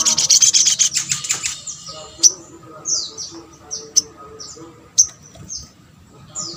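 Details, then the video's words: Calls from a little spiderhunter used to prompt responses from other birds: a fast high chattering run of about a second and a half, then a series of sharp downslurred high notes roughly every half-second to second. "MUDAH BIKIN SOGON ( sogok ontong ) LAIN BUNYI GAMPANG RESPON"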